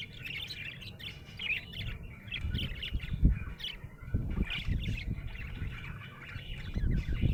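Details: A happy budgie chatters in bursts of fast, rough chirps and twittering notes, pausing briefly between phrases, accompanied by constant low rumbling noise and occasional knocks.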